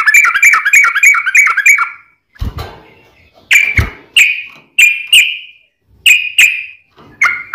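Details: Kept sooty-headed bulbul lure song to make others sing back; a rapid run of warbled whistles, then separate drawn-out whistled notes every half second or so, with a couple of dull thumps between.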